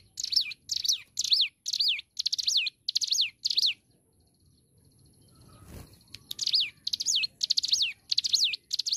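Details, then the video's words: A hill prinia sings vigorously with loud, high, sharply down-slurred notes, about six in quick succession, then pauses before another similar burst; a recording for training cage birds. "Ciblek gunung Gacor"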